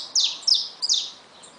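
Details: Caged saffron finch with newly hatched chicks, giving three sharp, high, downslurred chips at about 0.2, 0.5 and 0.9 seconds, each a bright quick sweep, over a faint steady background hiss.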